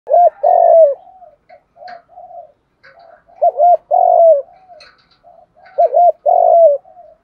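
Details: Spotted dove lure call meant to attract other doves: a low, mellow cooing phrase repeated three times about every 2.5 seconds, each a quick double coo followed by a longer drawn-out coo, with softer coos between.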